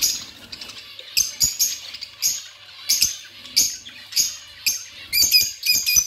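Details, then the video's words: Chirping from budgerigars: soft background twitter broken by loud, clipped chirps, about one every half second, ending in a quick cluster of sharp notes. "Budgies sounds and chirping"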